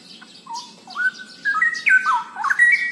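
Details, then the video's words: Straw-headed bulbul, known locally as cucak rowo, singing a loud bubbling warble of rich, liquid whistled notes that jump between low and high pitches, building in strength toward the end. "Kicau Burung Cucak Rowo Super Gacor"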